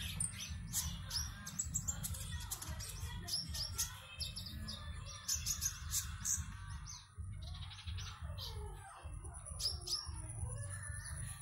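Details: Competition konin from Singkawang, West Kalimantan, Indonesia, caged, pours out dense bursts of rapid chattering chirps and buzzy high notes in an online singing contest, with constant low hum beneath and a thin high tone.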